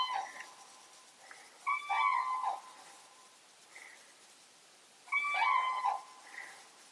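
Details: Wild common cranes in a moor near Hannover, Germany, calling after being disturbed by a person; loud trumpeting bugled calls in two bursts about three seconds apart, with softer distant calls between.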